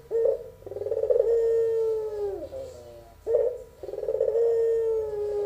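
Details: Two full pelung-style phrases from a young albino barbary dove. Each has a short rough opening note and a long sustained low coo that drops away at the close, about three seconds apart.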